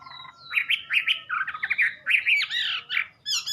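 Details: Wambi song: a rich, varied run of loud warbled and slurred whistled phrases, some rising and some falling, delivered in quick bursts with brief gaps, a higher sharp twittering flourish at the end.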